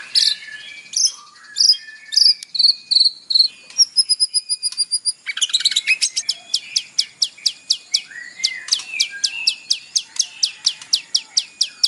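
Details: White-rumped shama morning lure song, isian style, to make a caged bird sing: bright whistled notes, a thin high repeated pulse, then a long even series of sharp descending ticks roughly four per second.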